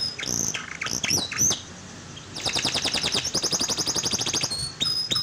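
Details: Canary singing to stimulate a non-singing canary: a few sharp chips and whistles, a short pause, then a long, very fast, even trill lasting about two seconds, ending in thin whistles.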